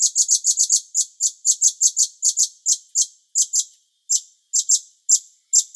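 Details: Cucak cungkok bulbul, master song for training songbirds: quick clusters of sharp, very high chip notes that gradually slow and spread out into single chirps with longer pauses.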